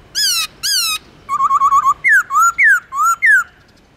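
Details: Black-throated laughingthrush singing in its forest-voice style with long slurred phrases, kept to spur wild-caught birds to sing: two loud harmonic whistles, a quick trill of five bouncing notes, then four swooping, descending slurred whistles.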